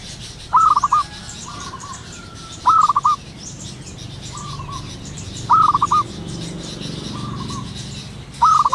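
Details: Wild local zebra dove calling in the morning: four loud stuttering bursts of about five quick cooing notes, spaced roughly every three seconds, with softer drawn-out coos from another dove in between over a low rumbling background.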